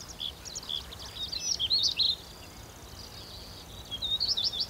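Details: Stonechat calls recorded at Wakka Primeval Flower Garden, Japan, in autumn when it does not sing: thin, high chirps and ticks in quick scattered bursts, a flurry at the start and another near the end, over a steady background hiss.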